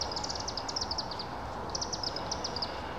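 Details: Chimney swifts (Chaetura pelagica) at Mokena Village Hall at sunset on 28 September 2018, going in to roost, give rapid, high, thin chittering notes in quick bursts from several birds at once, over a steady low background rumble.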